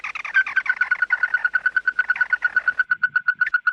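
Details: Red-eyed bird gathering its flock, a lure call. A fast, steady stream of loud, short nasal notes is repeated about eight times per second, with slight harsh overtones throughout.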